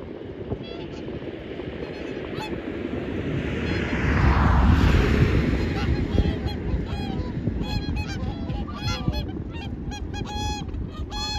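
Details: Whooper swans at Hirakawa, Aomori, Japan, 2021; a gust of wind noise swells midway, then many nasal trumpeting honks follow in a steady, fast chorus.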